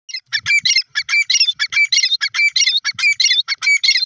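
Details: Black francolin, known locally as Sindhi or kala teetar, giving a rapid series of harsh, scratchy chirping notes with a thin whistled element, repeated about four times per second without pause throughout, with quiet low thumps underneath.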